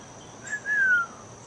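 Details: In early fall on a cooler day, heard while mowing a yard: a Mississippi kite gives its distinctive thin, high whistle, a brief short note then a longer drawn-out whistle slurring downward, over faint background hiss.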